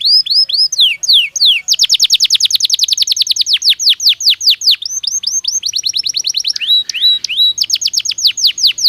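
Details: Singing Belgian canary, recorded as a training aid: long continuous song of fast falling whistled notes, shifting into a very rapid trill near two seconds, then slower downslurs, a brief harsher buzz, and renewed rapid trilling.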